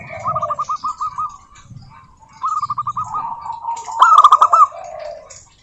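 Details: Zebra dove, local type, singing to prompt other doves: several rapid bouncing trills of short coos, a softer lower dove answering between phrases, and a louder accented burst toward the end.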